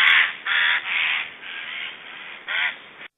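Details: Black storks in Estonia on 1 July 2012 making strange sounds at feeding time: a run of hoarse, rasping, noisy bursts, the first loudest, each about a third of a second, with short gaps between.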